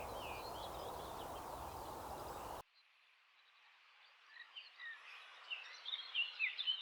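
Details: Eurasian blackcap singing on the agricultural Versailles plain, France, during a bird survey: a fast, bright warble of varied chattering notes rising in strength, after a few seconds of loud rushing noise.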